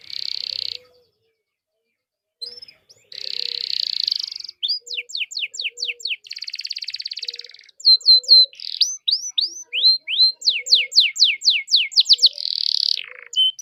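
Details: Vigorous canary song played as a lure to set other canaries singing: a brief buzzy trill, a pause, then rapid rolling trills, series of quick downward-sweeping whistles and fast rattling phrases, all high-pitched and continuous.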